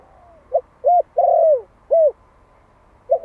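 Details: Spotted dove, a Malai decoy one year old in Vietnam, calling to attract wild doves: a single phrase of short coo, short coo, long falling coo and short coo, with the next phrase just beginning.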